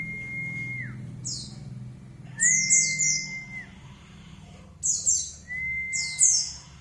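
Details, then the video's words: White-eye lure song to draw a reply: level, sustained whistles that fall at the end alternate with short, very high, sparkling twitters, in several phrases over a faint low hum. "pancingan pleci biar nyaut"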